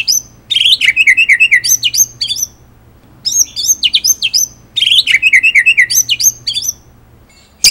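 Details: Indonesian white-rumped shama, or murai batu, singing energetic 'ngerol nembak' tutor song: three similar high phrases, each opening with bright whistled notes and running into a quick chattering trill, with brief pauses between.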